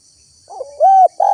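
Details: Spotted dove used as a lure for wild birds, giving short wavering coo notes followed by a sustained mellow coo and the start of another, with a thin high hiss throughout.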